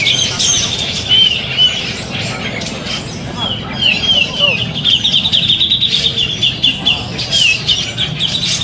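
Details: Grey-cheeked bulbul at a bird-singing contest, 27 September 2020, praised for a carrying song of tight high notes, sings long wavering trilled phrases with brief pauses, accompanied by chatter from the crowd and other birds.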